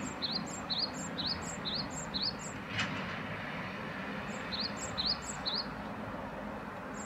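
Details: Great tit calling in two runs of sharp paired notes, a high tick then a lower upslurred whistle, separated by a quiet gap with one brief knock, over steady low background noise.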